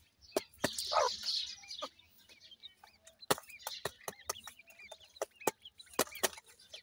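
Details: Grey francolin chicks being fed: a brief loud rustling burst, then a scatter of small upward-arcing peeps with frequent sharp taps and clicks.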